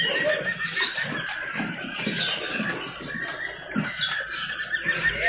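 A laughingthrush gives a dense, harsh, chattering song of rapid squawky notes with no real pause, over a noisy background.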